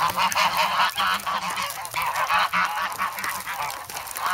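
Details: Hungry grown goslings in snowy Sloterpark, Amsterdam, in early February, crowding around someone holding bread; dense chorus of loud nasal honks, about one every two seconds rising above a steady clamour of overlapping calls.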